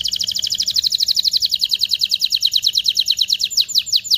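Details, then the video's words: Canary in strong song meant to stimulate mating: one steady, fast trill of bright repeated notes, about eight per second, gradually spreading and loosening toward the end. "تغريد طائر الكناري هائج , لتجهيز الاناث و الذكور للتزاوج والغناء"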